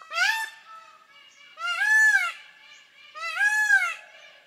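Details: Indian peafowl calling: three loud, nasal, wailing cries spaced about one and a half seconds apart, each rising and then falling, with a rich harmonic tone.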